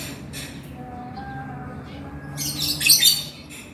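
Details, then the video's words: Male lovebird, 'gacor' and chattering 'ngekek'. Faint scratchy squeaks at the start give way, after a lull, to a building run of loud, harsh high-pitched chatter. "SUARA BURUNG LOVEBIRD GACOR JANTAN"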